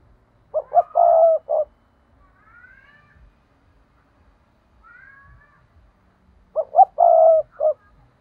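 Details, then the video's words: Spotted dove decoy call for luring wild doves: two phrases, each two short coos, a long purring croon and a clipped final note, with faint thin gliding whistles between them. "Chim cu gáy thúc || tiếng chim cu gáy mồi chuẩn cực hay dùng kích bổi hiệu quả nhất"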